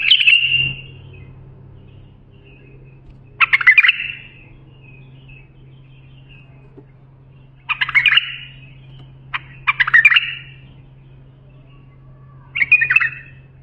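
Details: Bulbul song offered for training young bulbuls: five short, bright warbled phrases, each under a second, separated by pauses of about two seconds, with a steady low hum underneath.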